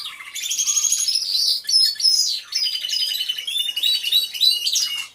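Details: Aviary full of singing canaries, caught as real sound on a hidden camera: a continuous stream of rapid rolling trills and sharp whistled notes, several birds overlapping in a bright, busy chorus.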